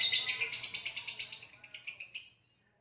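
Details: Lovebird ngekek trill ending: a fast rattling high-pitched series whose pulses slow and fade over about two and a half seconds into silence.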